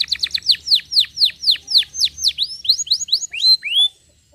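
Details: Canary delivering a slowing phrase of clear descending whistled slurs, each note swooping downward, spaced wider apart toward the end and finishing with two rising notes before falling quiet.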